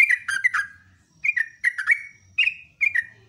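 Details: Yellow-vented bulbul, a trucukan kept for training as a gacor model songster, singing in the morning: short bursts of bubbling, liquid notes falling from about two thousand, with brief pauses between phrases.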